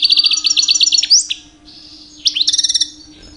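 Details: European goldfinch aged two years in mating-season song meant to attract females: a quick run of liquid chirps ending in an upswept note, a brief pause, then another twittering burst; faint constant hum beneath.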